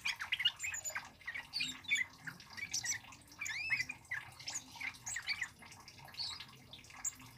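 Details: Energetic male Scarlet-headed Flowerpecker, whose loud song serves to lure and train birds, delivers bursts of high, sharp chips and twisting squeaky slurs separated by short gaps.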